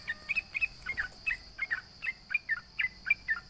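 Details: Trucukan, the sooty-headed bulbul, taunting rivals: evenly spaced pairs of bright chirpy notes, a few per second, over a constant faint high electronic tone.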